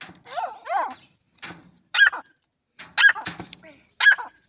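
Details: Partridge calling: a series of husky, chevron-shaped clucking notes repeated roughly once a second, mixed with sharp broadband clicks and knocks.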